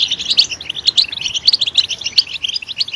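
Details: Brief European goldfinch singing: quick high chirps and clipped twittering notes in short bursts, a few sharper bright notes standing out over a quiet background.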